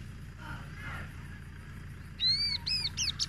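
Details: An unidentified bird, taken in from the field after people destroyed its nest, gives a few loud, clear, whistled notes with rich harmonics, quickly repeated.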